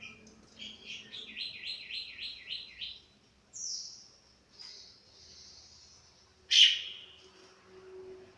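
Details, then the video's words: Chestnut-capped thrush fresh from its moult: a quick run of six rhythmic, repeated chirping notes, then drawn-out high whistles and one sharp, loud note near the end, over a faint low hum. "Burung Anis Kembang selesai mabung"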